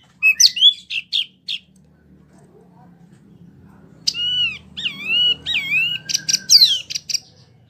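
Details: Wambie mini, a vigorously singing bird used as a tutor for competition songbirds: a burst of sharp high chirps, a pause, then looping slurred whistles and a final clattering trill, with a faint low hum beneath.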